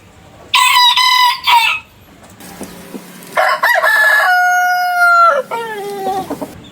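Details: Rooster crowing repeatedly, with overlapping voices: a rough, loud crow, soft low clucking, then a long crow holding a steady whistled tone before sliding down into a lower, fading ending.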